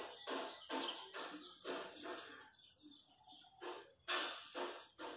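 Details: Harsh rhythmic chant from wild chachalacas in the countryside, loud grating notes in quick series, a short lull, then a louder burst of calls.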